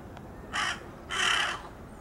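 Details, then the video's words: Two harsh, drawn-out caws from a young jungle crow, the second longer and stronger, close and clear above quiet background. "幼鳥ハシブトガラスの 鳴き声"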